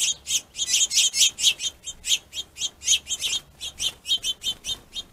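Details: Finches fighting over a plentiful food source give rapid, high, buzzy chips, about four to five per second, in a steady agitated stream with no other sounds.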